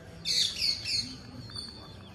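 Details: Feeding green parakeet lets out a high harsh screech broken into three rough pulses over about a second, fading into steady background hiss.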